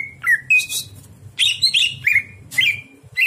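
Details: Greater green leafbird song recorded at night for tutoring other birds: short whistled phrases sliding down, broken by harsh scratchy bursts, over a steady low hum.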